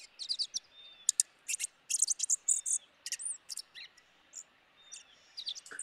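Dark-eyed Junco calls: sharp, high ticking chips in quick irregular bursts, mixed with a few thin, slurred whistled notes. The background is quiet.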